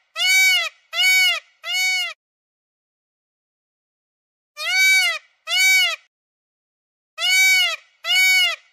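A peahen gives loud, nasal, honking calls, each about half a second long with a slight arch in pitch. They come in bursts of three, two and two, with silence between.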